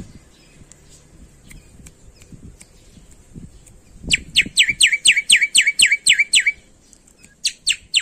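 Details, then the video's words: Black-winged myna, endemic to Indonesia, in energetic full-repertoire song: after faint ticking, a rapid burst of about a dozen loud, clear, down-slurred whistles, then three more similar notes. "Suara Burung Jalak Putih Gacor Full Isian"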